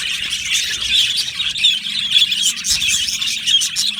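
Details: Chorus of yellow male budgerigars in an aviary: continuous high chatter of short chirps, squeaks and little whistled notes from many birds at once.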